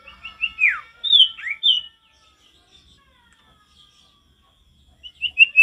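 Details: Male sirtu in lively natural forest song, giving a string of high chirps and swooping downslurred whistles, a near-silent gap, then more bright high notes.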